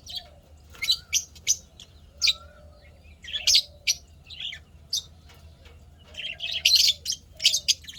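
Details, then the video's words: Happy pet lovebirds chirping steadily: a dense run of quick, shrill, high-pitched chirps and squeaky notes, some in rapid clusters, with a low background hum throughout. "lovebirds chirping sounds happy"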